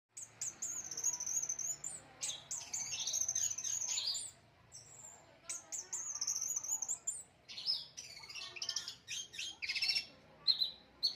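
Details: Kept orange-headed thrush, a songbird admired by bird-song hobbyists, singing fairly quietly: long high thin whistled phrases broken by bursts of scratchy twittering, with a low hum in the background.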